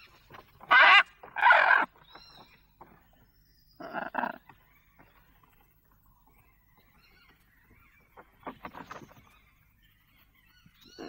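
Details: Lorikeet sounds compiled to entertain pet parrots: a few loud, harsh, rasping squawks in short bursts, separated by quiet gaps, with a faint high whistle between them.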